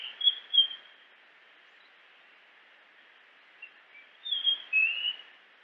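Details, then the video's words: Two bright whistled notes from a Japanese grosbeak open the recording, then about three seconds of steady hiss, then a renewed burst of rich, slurred whistles near the end. "Grosbeak japonês Som de pássaro"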